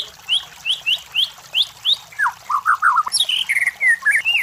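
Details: White-rumped shama song for training competition birds: a set of evenly spaced upslurred whistles, then lower warbled notes and a sudden high, descending flourish.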